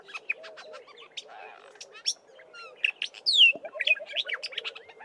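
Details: Black-bellied starling song packed with imitations of Fork-tailed Drongo and other local birds: rapid jumble of clicks, chatters and a loud descending whistle, while another bird calls repeatedly at a lower pitch.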